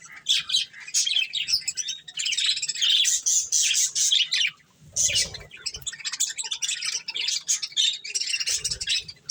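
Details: Several pet budgies eating corn, giving a dense stream of high, scratchy chirps and warbled chatter in bursts, with brief pauses around five seconds and soft low thumps beneath.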